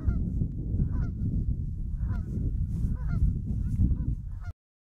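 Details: Several Canada geese honk in a field recording made in 2015 with an Olympus LS-20m: scattered bright, nasal honks over a heavy low rumble, ending abruptly in silence after about four and a half seconds.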